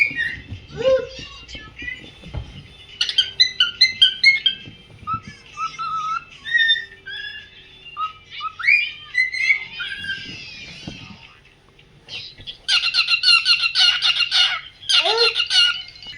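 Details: A pearl cockatiel sings, whistling a varied, tuneful string of clear notes and ending in a burst of harsh, buzzy chatter.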